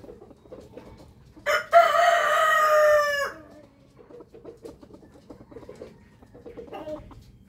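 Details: Rooster crowing in the morning: a single strong, rasping crow of almost two seconds, its pitch sagging at the end, followed by soft farmyard clucks and rustling.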